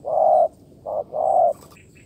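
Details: A wild spotted dove springing out of the grass during decoy trapping gives three soft, low, hollow coos in a long–short–long pattern within two seconds, followed by a few faint high ticks.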